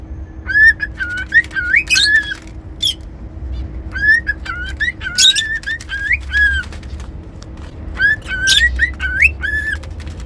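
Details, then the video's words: Cockatiel whistling a repeated melodic phrase of clear notes with quick upward turns, sung three times with short gaps, a few sharp squawks mixed in, over low steady room hum. "Cockatiel whistling sounds"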